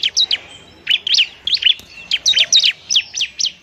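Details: Bar-winged prinia giving a fighting song, used for luring and to stimulate lazy birds to sing: a steady run of loud, piercing, downslurred chirps, nearly continuous, in small groups of two or three.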